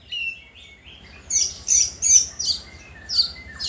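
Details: White-rumped shama singing to provoke rival shamas: a few thin whistled notes, then loud bursts of high, sharp chirps repeated roughly every half second.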